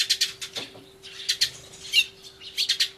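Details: Sparrows in a noisy fuss, 24 March 2013, filmed with an Everio beside a turtledove: short paired chirps, a brief lull, then irregular groups of raspy high notes and a final double chirp.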